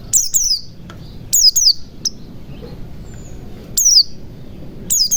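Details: White-eye lure song meant to get silent birds singing and calling freely. High, thin whistles slide downward in quick doubled phrases, repeated about every one to two seconds over a soft low background hum.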